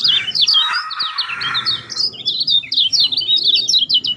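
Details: Lemon-bellied white-eye song used as a lure recording to prompt a silent caged bird to start singing: rapid, high twittering of short slurred notes, dense and continuous, with a faint lower warble underneath in the first two seconds.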